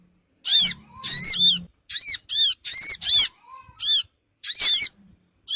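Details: Sogon bird lure call for attracting small wild birds: loud, high, curved squeaky notes in doubled and tripled bursts, separated by short silences.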